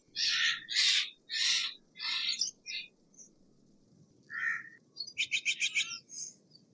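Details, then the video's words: Steller's jay voicing loud raspy shrieks in quick succession, then a lower nasal note and a fast stuttering rattle of clipped notes near the end. "Steller's jay Sound - Stellar's Jay Singing - Stellar Jay Scream - Stellar Jay Mating Call"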